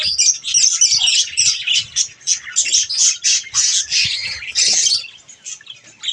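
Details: Budgies during bath time keep up a rapid, pulsing chatter of harsh chirps for about five seconds before it thins out to a few scattered notes.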